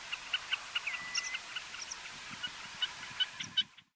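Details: Meadow pipit (subspecies whistleri) in Iceland, June 2019, giving thin, high squeaky notes, two to three a second at an uneven pace, over a steady hiss of wind.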